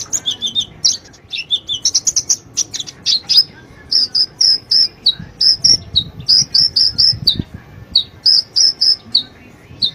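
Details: Lure of sunbird song to start a silent bird singing: busy high twittering with down-slurred notes, followed by a long, regular series of thin, sharp chirps.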